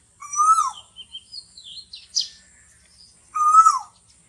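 Asian koel giving two loud, clear whistled notes about three seconds apart, each swelling then dipping, with faint chirps from other small birds in between.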